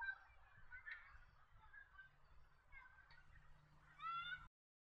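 Chestnut Rail giving loud, harsh, honking calls in a raucous run, ending in a stronger nasal wail, over a low steady rumble.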